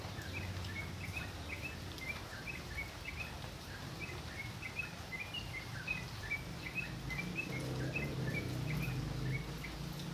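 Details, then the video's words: Vigorous tocok song used as a songbird training recording: quick, repeated high chirps, roughly two to three per second, continuing without pause, backed by a heavy low-pitched rumble that strengthens near the end. "Tocok Gacor buat masteran"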